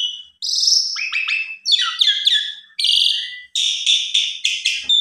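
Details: Asian pied starling (Gracupica contra) giving an agitated, emotional long song in reaction to a rival played once: an excited, run-on stream of high whistles, harsh churrs and rasping notes in quick bursts with brief gaps.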